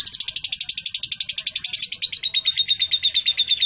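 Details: Lovebird with cililin song material, singing clearly: a loud, steady, rapid trill of sharp, high notes, roughly eight per second, holding evenly for several seconds.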